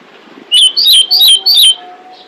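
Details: Female pied bushchat calling to attract males: a quick run of four sharp, high whistled chirps, each bending up and down, followed by a faint steady hum in the background.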